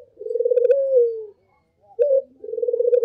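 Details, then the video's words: Barbary dove cooing actively as a lure: a long tremulous coo sliding gently down, a pause, then a sharp rising note and a fresh throbbing coo. "Pancingan paling ampuh untuk semua jenis Burung puter || SUARA BURUNG PUTER gacor"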